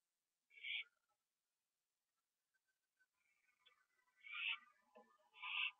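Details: Owl finishing a gopher on a porch at night, 21 September 2011, with another owl nearby in a tree; a raspy screech, then mixed softer squeaks and twitters leading into two more loud hissing screeches.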